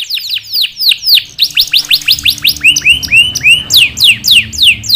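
A canary sings a fast, bright run of sweeping whistled notes, shifting into rolling rising trills and back to rapid descending chips.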